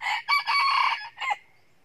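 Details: Red junglefowl rooster, wild, crowing loudly before running into a fight with a second rooster; a loud harsh broken crow in several bursts over under two seconds, ending in a short final note.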